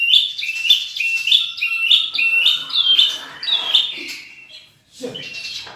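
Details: Murai batu, a champion white-rumped shama with rich fill-in material, repeating a bright two-part whistled phrase about twice a second, then a fading warble and a brief quiet gap before new notes.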